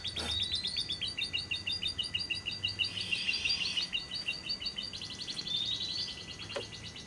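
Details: Lovebird lure recording of the long ngekek trill, meant to prompt lovebirds to sing by day and night: rapid high chattering trills of repeated sharp notes running almost continuously, with a rising whistled sweep near the start and again near the end.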